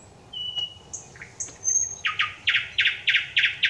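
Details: Thrush nightingale singing on 25 May 2021: a few pure drawn-out whistles at varying pitches, then a run of loud, harsh, evenly spaced chock notes repeated about three times per second.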